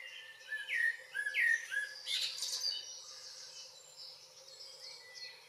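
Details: Common blackbird in Northwest Zealand, Denmark, on a June evening: several round, whistled fluting notes, then a scratchy high flourish, trailing into quiet faint twitters.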